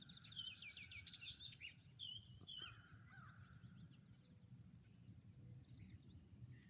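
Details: Several red-winged blackbirds in a busy chorus of overlapping chirps and sharp notes, loudest in the first half, with a fainter buzzy rattle later, above constant low rumbling noise.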